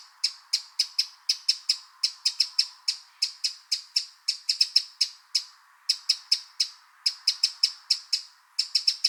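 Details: Eurasian wren (Troglodytes troglodytes), recorded in the wild, gives sharp, dry ticking call notes, about four a second, in uneven bursts with brief pauses against a quiet background.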